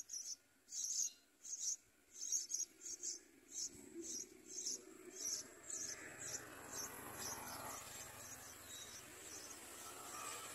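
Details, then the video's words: Yellow bulbul nest where a parent arrives with food for the babies; a run of high, squeaky chirps repeats roughly twice a second, then gives way to a louder rustling, broadband noise. "Yellow bulbul brings food to feed babies"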